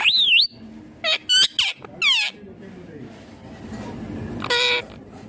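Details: A pet green ringneck parrot opens with a wavering high whistle, then several quick harsh squawks, falls quiet, and ends with one long rough call.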